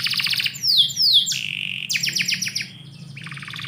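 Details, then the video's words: Indoor morning canary song, a short burst of sharp downward-sliding whistles followed by a fast run of repeated chipping notes and a soft trill at the end, low hum in the background. "KICAU BURUNG KENARI - DIPAGI HARI DALAM RUMAH"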